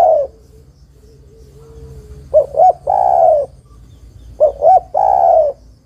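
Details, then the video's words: Female spotted dove calls for the male, giving two full phrases about two seconds apart. Each phrase has two short, upturned coos leading into a long, slightly falling, husky coo. "TEKUKUR BETINA MEMANGGIL JANTAN"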